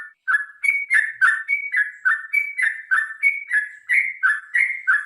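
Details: Sooty-headed bulbul in a long fighting song meant to make birds sing readily: a fast, steady chain of varied whistled notes, about three per second, alternating high and lower pitches without a break.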